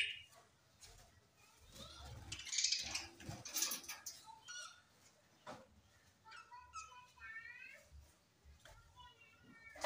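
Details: Budgerigars recorded September 25, 2023 at Larkana, Sindh: after muffled thumps and rustling, a run of short, harmonic, rising-and-falling chirps and warbled notes arrives in quick bursts over the last few seconds.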